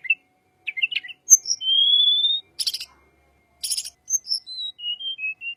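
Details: Little pied flycatcher, a lure sound for white-rumped shama: short twittering notes, a long thin rising whistle, two dry buzzy bursts, then a descending series of soft whistled notes.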